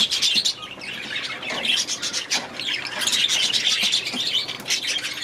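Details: Budgerigars in their aviary chatter as a group: dense, overlapping warbles and quick high chirps keep up without pause, with occasional louder squawks breaking through the busy twittering.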